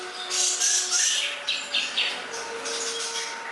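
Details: Greater green leafbird (cucak ijo) in a tutor recording for songbird training gives loud bursts of scratchy, high twittering notes in quick clusters, then softer chatter, over a faint steady low hum.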